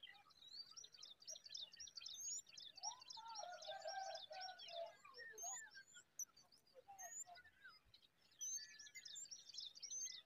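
A young small minivet gives thin, high, rapidly repeated tseet notes among other chirping birds. A lower warbling phrase rises briefly in the middle.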